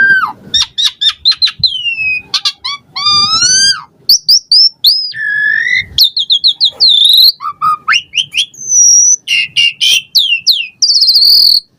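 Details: Asian pied starling song used to stimulate caged birds: quick clicks and rising whistled slurs, chattering rattles, buzzy bursts and looping whistles in a continuous, highly varied stream.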